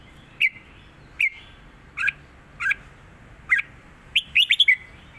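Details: Southern Thai song pattern from a caged red-whiskered bulbul, meant for tutoring birds. Spaced sharp chirps and double notes lead into a quick four-note whistled flourish at the end.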